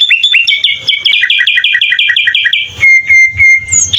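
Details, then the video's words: Sooty-headed bulbul giving full-isian filler song for tutoring birds: a fast regular trill of about a dozen paired chirps, then long level whistles broken by short bursts, faint hum underneath. "Suara kutilang full isian"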